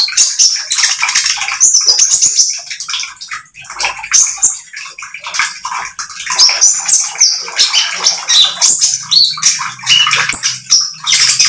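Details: Speckled oriental magpie-robin singing persistently, a recording used to lure other birds into singing: a dense, rapid stream of scratchy, chattering high notes and squeaky whistles with hardly a pause, slightly dipping midway before resuming.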